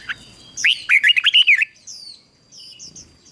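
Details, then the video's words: Decoy song of a red-whiskered bulbul for luring wild birds: a rolling phrase of about seven bright, whistled notes lasting one second, then quiet high twitters from other birds. "Chào Mào Mồi Hót Gọi Chim Rừng Kích Chim Hót Hay"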